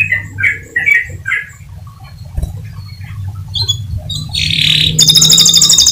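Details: Atlantic canary song for prompting other canaries to keep singing: four soft chirps, scattered quiet notes, then a loud buzzy burst and a high rapid trill over a background hum.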